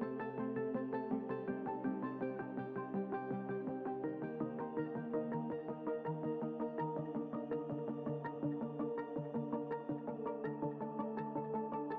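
Soft, sustained synthesizer music with layered chords and no animal sounds.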